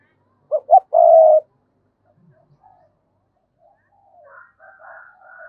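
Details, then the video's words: Spotted dove kept as a lure bird, cooing to draw wild doves: a short, low, hoarse coo phrase of two quick notes and a longer drawn note, followed by faint, softer murmuring coos. "Chim Cu Mồi gáy gọi kích bổi hiệu quả, tiếng chim cu gáy"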